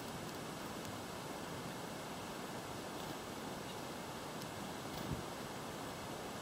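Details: Steady broadband rushing noise like wind or running water, with a few faint clicks and no animal voices.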